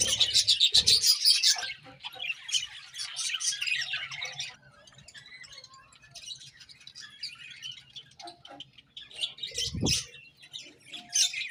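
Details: Morning chirping of budgerigars, opening with a loud burst of rapid scratchy twittering that softens into scattered high chirps and quieter chatter, with one low knock.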